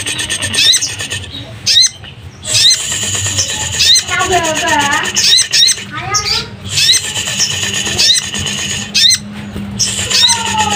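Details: Caged Oriental magpie-robin, in high breeding condition and singing to itself on a drizzly afternoon, pours out fast, varied chatter of high whistles, sharp notes and sweeping slurs in long bursts, with a man talking.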